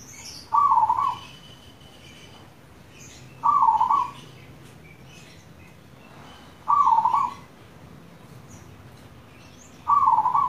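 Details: Local zebra dove song used as a lure to get other doves singing: a rolling, bubbling coo phrase repeated about every three seconds, four times, with soft high chirps of other birds between phrases.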